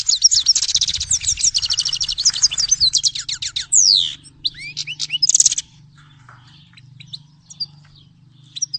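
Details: A long, lively twitter from a grey-headed goldfinch (Carduelis caniceps): dense high chirps, several down-slurred notes and a buzzy phrase. Quieter scattered notes follow over a faint low hum.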